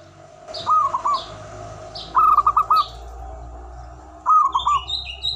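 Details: Local zebra dove singing manggung: three separate trilled coo phrases of quick, rounded notes, with high chirps from other birds and a low background hum.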